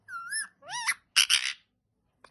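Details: Green pet parrot talking: two whistled, rising, harmonic tones, then two harsh, speech-like syllables, a pause, and a faint short sound at the end.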